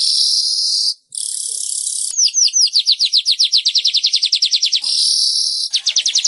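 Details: Weaver song for stimulating caged birds to sing: a steady buzzing sizzle gives way to a rapid series of downslurred chips, then another hiss and a final short rattle.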